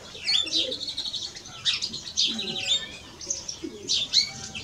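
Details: A male and a female European greenfinch give bright, rapid twittering with short rising whistles and sharp chirps in several quick bursts, plus faint lower warbled notes underneath.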